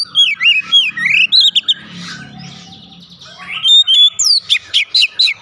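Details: Lure recording of an Oriental magpie-robin to make the bird sing. Rich, varied whistled phrases open loudly, give way to a quieter noisy stretch, then a string of sharp, repeated chirping notes ends the passage.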